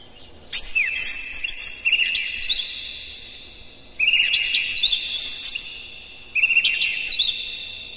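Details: Oriental magpie-robin in full morning song, used to provoke captive birds: three bursts of layered whistles and fast downward slurs, each fading gradually before the next sudden start.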